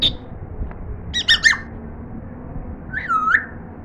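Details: African grey parrot in its first attempts at talking gives a short burst of high, buzzy squeaks, then a pause, then a single rising-and-falling whistled note. The background is quiet.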